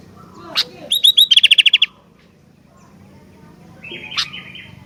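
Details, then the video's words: A sooty-headed bulbul in lively song delivers a sharp tick and a quick series of ringing hooked notes, then after a pause a single drawn-out buzzy note. "Kicauan Gentilang Gacor Dooor"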